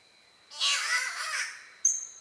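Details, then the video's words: Spotted catbird of Australia, a bowerbird family species known for cat-like yowls: one loud, raspy, wavering wail of about a second, then a brief bright high squeak, over a constant thin high hum. "The weird sounds of Catbirds"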